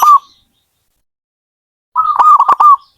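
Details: Zebra dove giving a short cooing note, then after a pause a full rolled phrase of wavering mid-pitched coos broken by sharp clicks.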